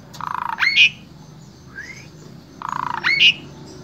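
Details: Asian pied starling in Wonosobo, Central Java, Indonesia, used as a vocal tutor for other starlings: two buzzy rattling phrases each ending in a squeaky whistle, with a soft rising slur between them.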